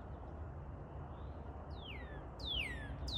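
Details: Northern cardinal singing: clear whistled notes that slide steeply downward, three of them in quick succession with the last cut off, over a steady low rumble of distant traffic.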